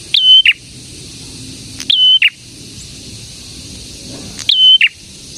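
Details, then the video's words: Prenjak, a prinia also called prenjak tamu or prenjak merah, singing in three well-spaced bursts: each a short upward flick, a clear sustained whistle and a lower closing note, with quiet pauses between. "BURUNG PRENJAK GACOR INI AMPUH UNTUK MIKAT PRENJAK DAN PANCINGAN PRENJAK BISU AGAR CEPAT BUNYI"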